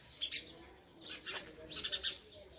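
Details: Baby house sparrows calling for food as the mother feeds them: short clusters of piercing high cheeps, a brief pause, then a rapid trill of four or five squeaky notes.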